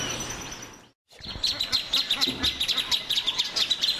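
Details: Plain thornbird delivering a steady stream of rapid, high, sharp notes for more than two seconds, with light background noise.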